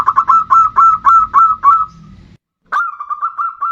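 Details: Zebra dove singing bodronoyo style as a lure to get other birds singing: a loud fast series of rounded cooing notes about four per second, a brief silence, then another quick run.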